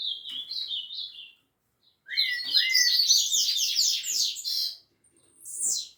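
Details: Song of a rufous-bellied thrush at Piedade: a high whistled phrase, a short break, then a dense, loud jumble of rapid twittering notes ending in a high sliding note.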